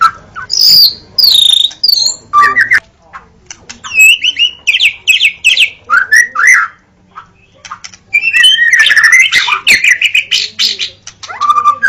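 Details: Long, varied White-rumped shama song used as a reference for training birds: loud whistles, sharp chips, rattling bursts and upslurred notes in quick succession, a short quiet gap midway, and a faint low hum.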